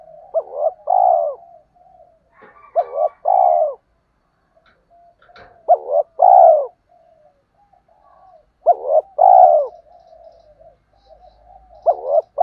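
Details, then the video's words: Male and female spotted doves cooing, a call meant to excite wild males for decoy training. Four low phrases come roughly every three seconds, each a quick rising note then a fuller rounded coo, with a faint hum between. "tiếng chim cu gáy kích bổi mới và tập mồi hiệu quả"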